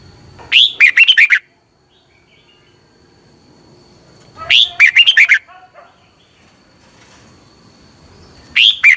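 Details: In Thailand, a caged Red-whiskered bulbul repeats a brief, lively burst of liquid whistled notes about every four seconds; song played each morning so caged birds learn it, faint continuous tone behind.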